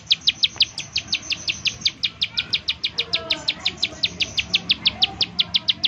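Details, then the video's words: Lure recording of a bar-winged prinia's 'nembak' call to draw song from other prinias: a quick, regular series of piercing high ticks, roughly five per second, with soft lower murmurs behind. "ciblek sawah, nembak nembak untuk pancingan ciblek sawah agar bunyi"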